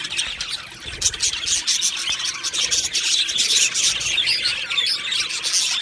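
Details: Steady high-pitched chirping from two male Australian budgies, a busy overlapping warble of quick tweets that swells slightly toward the end.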